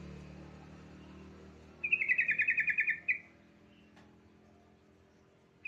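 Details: Song of a yellow-vented bulbul, played to prompt untrained bulbuls to sing: one bright, rapid phrase of about ten quick warbled notes lasting over a second, then low background hum and a click.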